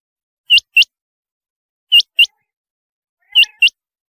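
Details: Rain quail (chinga batair) giving high, sharply rising double notes, three pairs spaced about 1.4 seconds apart, over a quiet background.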